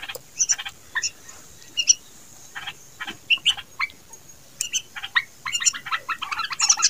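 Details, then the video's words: Young bulbuls give rapid bursts of harsh, scratchy chirps, several per second, in uneven clusters that grow busier toward the end. "Bubul Bird Baby Voice"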